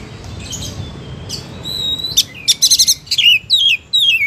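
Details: Oriental magpie-robin song: soft thin whistles rising from a hissy background, then loud clicking notes in a fast burst and a string of descending whistled slurs repeated about every half second.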